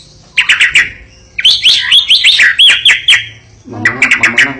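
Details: White-rumped shama kept as a fighting and contest bird, from Medan: loud, rapid bursts of sharp chirps and bright whistled notes, followed by a run of looping slurred whistles and another chirping burst. Faint background noise.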